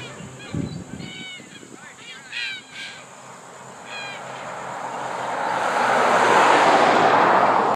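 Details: A roosting flock of red-tailed black cockatoos in a tree by the Bruce Highway near Cairns, North Queensland, in February 2014, gives several harsh, rolling, trumpet-like calls in the first four seconds, then a rising rush of wind-like noise takes over.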